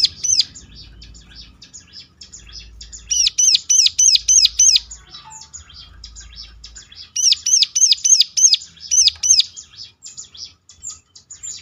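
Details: Ciblek song for luring other ciblek to answer: two bouts of loud, rapid, arched high notes in ngeclak style, separated by quieter high chatter, with an occasional low thump.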